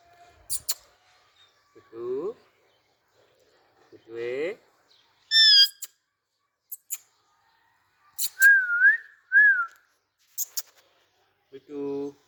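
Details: Young Indian ringneck parakeets perched together on a stick, playing with each other and with an Alexandrine parakeet, giving scattered squawks, a rising whistle, harmonic screeches and a wavering trilled note between silent gaps.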